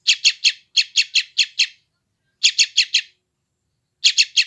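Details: Young yellow-vented bulbul giving rapid scratchy chirps, recorded by Android phone in West Java, played to calm and tame freshly caught wild birds. A long run of about eight notes, then a burst of four, then three more.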